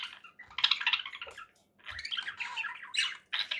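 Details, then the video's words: Two harsh, drawn-out squawking bursts from conure parakeets, each noisy and grating, with a short silence between them and a final sharp call. "conure parakeet sounds"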